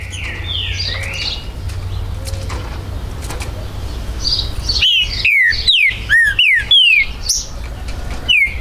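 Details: Green-winged saltator, territorial species, recorded at a Brazilian breeder's premises on 19 September 2020; faint distant whistles give way to a loud burst of quick downslurred whistled notes near the end.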